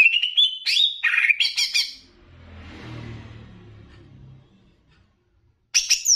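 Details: Greater green leafbird of the Banyuwangi type, in a song used as training "master" song to rouse emotion in other leafbirds: quick, varied whistled and chattering phrases for two seconds, a break, a low rumble, then a final burst of song.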